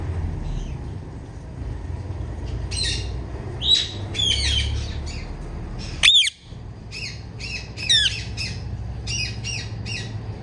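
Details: Female Indian ringneck parakeet calling loudly: harsh, scratchy squawks in irregular bursts with rising and falling harmonic notes, a few sharp screeches standing out, over steady low background hum.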